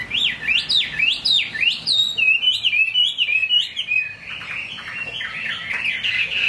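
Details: Caged Chinese hwamei singing in the rain: a loud run of looping whistles that swoop up and down, repeated quickly, then settling into a flatter, slurred warble near the end.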